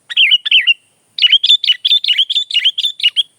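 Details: Sooty-headed bulbul (kutilang) in chatty gacor song, offered as tutor and lure audio: two bubbly warbled phrases, then a quick run of about ten sharp clicks, each followed by a wavering whistled note, clean and close with no other sounds.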